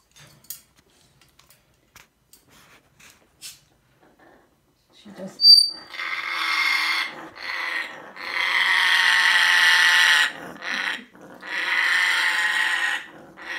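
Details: Female African grey parrot, alarmed by a Cairn terrier wearing a Christmas sweater entering her room, gives a brief whistle, then long harsh, raspy alarm growls.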